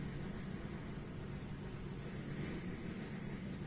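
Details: Steady low rumble of an engine, like a motor vehicle or boat, with broadband hiss and no animal voice.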